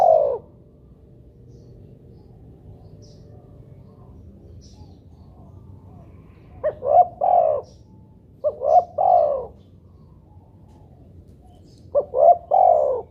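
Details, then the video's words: Spotted dove (tekukur) used as playback to make other doves call; soft low coos in three-note phrases, two short notes then a longer drawn-out coo, repeated after a long pause, faint hum behind. "pancingan burung tekukur buat derkuku agar bunyi"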